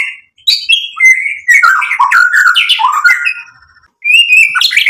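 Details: White-rumped shama singing a tumbling, varied phrase of whistles and harsher chattering notes, a quiet pause, then a fresh burst of bright rising whistles.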